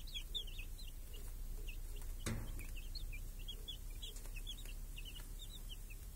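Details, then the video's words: A flock of chicks with their hen, grazing under a cage that shields them from crows and hawks in a village on a clear summer day. Rapid, overlapping high peeps run continuously, with a sharp knock midway and a low rumble. "Chickens and hen in the village | Sounds with chicks on a clear summer day"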